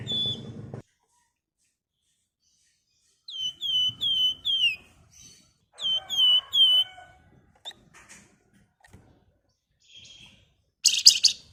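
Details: Wergan jawa (flamboyan) in full song, used as a lure and master song for flock birds: bursts of four or five quick downslurred whistles, a pause, then another burst, followed by scattered faint notes and a harsh burst near the end.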